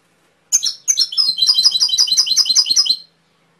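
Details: Canary (kenari) song: a sharp opening note, then a fast, even run of bright trilled notes repeated about three per second for roughly two and a half seconds before stopping abruptly. Quiet indoor background.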